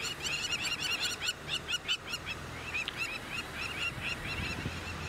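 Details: On an afternoon safari on 8 December 2016, crowned lapwings flying over cheetahs on open plains give loud, strident, rapidly repeated kree notes, several birds overlapping in a continuous scolding chorus over a low rumble.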